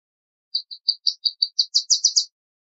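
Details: Male Palestine sunbird singing a quick series of about eleven high, thin chips that speed up and rise into a brighter, buzzier flourish.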